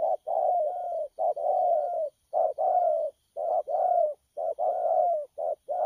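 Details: Captive spotted dove recorded on 12 October 2019 cooing energetically. Paired low hollow notes, a short one then a longer falling one, repeat in quick succession without pause.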